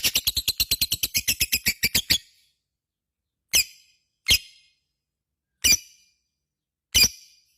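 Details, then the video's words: Vocal lovebird's ngekek: a two-second run of rapid, shrill chattering notes, followed by four separate sharp chirps spaced one to two seconds apart. "SUARA BURUNG LOVEBIRD GACOR,Jago Ngekek Bikin Lovebird Apapun Langsung Ikutan Nyaut Ngekek Koekk"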